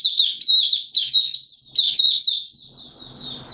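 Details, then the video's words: Oriental white-eye of Malaysian stock doing 'buka sing' open singing in Singapore on a warm humid day, 29 March 2023: three quick shrill chattering phrases of slurred high notes, fading into quiet rustle at the end. "Malaysian Mata Puteh Buka Sing"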